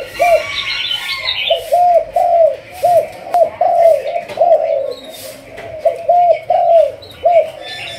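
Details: Spotted dove of a Malaysian line, the 'thúc gù' cooing strain, in training as a decoy bird. It gives a steady series of short, arched, mellow coos, about a dozen in eight seconds, with faint higher chirps early on.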